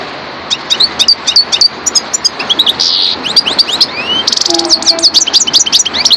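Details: European goldfinch of the subspecies parva singing a fast, tinkling twitter of sharp high chirps, quick rising and falling slurred notes and brief buzzy trills, delivered almost without pause over a quiet background.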